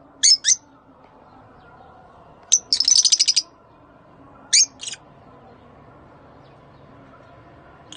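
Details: Rosy-faced and Fischer's lovebirds giving mating calls used to stimulate breeding: shrill, piercing high chirps in short bursts, one rapid buzzy trill near the middle, with quiet gaps between.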